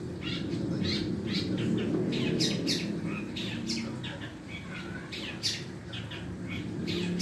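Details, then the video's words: A long-tailed shrike working on its sounds utters a quick string of harsh chirps and thin squeaks, bunched in short bursts, against a low murmuring background. "burung cendet belajar bunyi"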